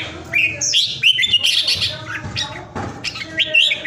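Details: A well-cared-for pet Vietnamese red-whiskered bulbul, kept at home, sings quick, bubbly whistled phrases that rise and fall, several notes each second, with faint background noise.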